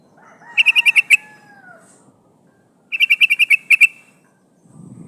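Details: Female yellow-vented bulbul calling a male, a lure for wild birds: two fast chattering bursts of about eight notes each, with a faint falling whistle under the first and a low rumble at the end.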